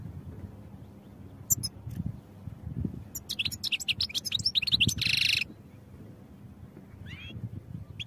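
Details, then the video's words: Goldfinch song for training, with a few isolated high chirps leading into a fast twittering run and a harsh, buzzy stretch, then quiet with one later slurred note; soft low rumble throughout. "Goldfinch Songs for Training"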